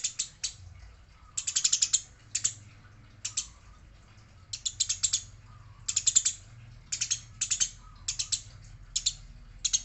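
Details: Eurasian tree sparrow, said to be fighting, with a female mentioned; short chattering bursts of three to eight harsh chirps recurring about every second, with a soft low hum beneath.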